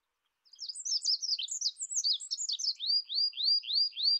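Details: Olive-backed pipit song: a fast jumble of high, thin twittering notes that ends in a run of five clear, slurred, rising-then-falling whistles repeated about every quarter second, on a clean background.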